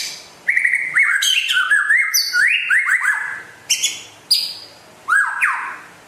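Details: White-rumped shama, a rare West Aceh bird and constant singer, giving a varied jumble of rising whistled notes and high sharp squeaks, ending in separate loud upslurred calls.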